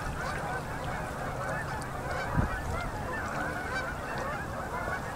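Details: Vast numbers of Canada geese land on a Manitoba river at sunset during fall migration, October 2018. Constant overlapping honks form a loud chorus, with one brief louder thud midway.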